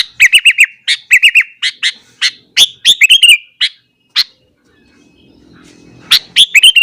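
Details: Sooty-headed bulbul singing energetically in the morning to provoke other bulbuls: rapid run of bubbly, warbled whistled notes, falling silent for about two seconds with a soft low hum, then resuming.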